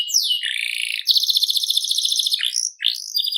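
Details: Canary, seri FI type, singing vigorously: a falling whistle, a long dense rattling trill held around one pitch, then brief upswept whistles ending the phrase.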